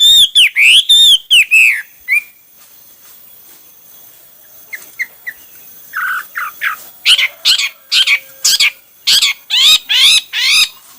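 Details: Hwamei singing in many styles: looping whistled notes at first, a pause, then quieter short notes building into a fast series of loud repeated rising whistles.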